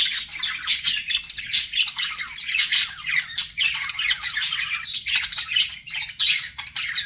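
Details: Budgies flirting, rapid chattering chirps and buzzy squawks tumbling over each other, with short clear whistled notes standing out in the busy warble.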